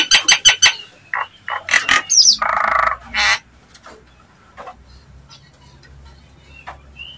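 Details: Nias hill myna calling to provoke other mynas: a quick series of sharp notes, harsh raspy squawks, then a quieter stretch with occasional thin whistles.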